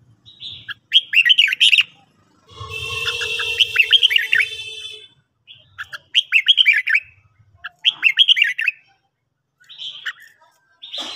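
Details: Red-whiskered bulbul morning training song: repeated short bursts of rapid, warbling chirps, interrupted midway by a harsh, buzzy rush of noise, then more chirpy phrases and scattered notes.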